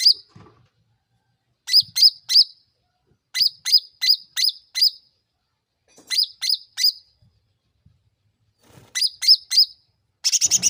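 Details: Sooty-headed bulbul lure sound meant to make others respond fast: clean, high, sharply rising chirps in tight bursts of three to five, each burst separated by about a second of silence, ending in a denser flurry.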